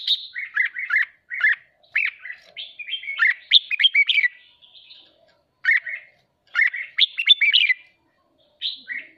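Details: Red-whiskered bulbul in captivity, worked up in song training, pours out busy runs of warbled, slurred whistles in tight bursts separated by short gaps, ending with a lone sweeping note.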